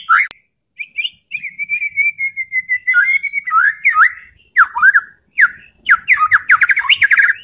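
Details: White-rumped shama provocation song: a long sustained wavering whistle followed by sharp slurred notes and a rapid run of rising chirps.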